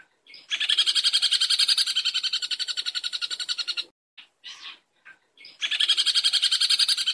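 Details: Long-tailed shrike, recorded to train songbirds: long grating buzzy rattles of fast regular pulses, broken by a brief pause with a few short rasping notes before the rattle resumes.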